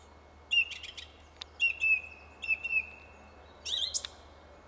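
A song thrush sings loud, clear, whistled phrases, a few of them repeated, with brief pauses between bursts over faint background hiss.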